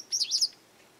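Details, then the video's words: A garden Japanese wagtail, a frequent caller possibly making demands, warning off others or asserting territory, gives a quick burst of three or four high, buzzy, slurred chirps within half a second, then quiet. "よく鳴くセグロセキレイ Japanese wagtail"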